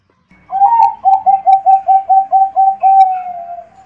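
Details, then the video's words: Perkutut bangkok zebra dove, a contest-bred songbird, sings a clean cooing phrase of roughly nine short, evenly spaced coo notes after a brief rising start, closing with a long falling drawn-out coo; background otherwise silent. "dengarkan suara burung perkutut bangkok 10 menit langsung gacor"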